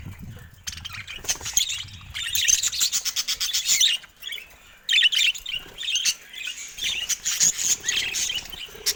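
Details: In a cage, budgerigars attack a camera, producing dense scratchy warbled chatter with rapid clicking runs and brief pauses between bursts.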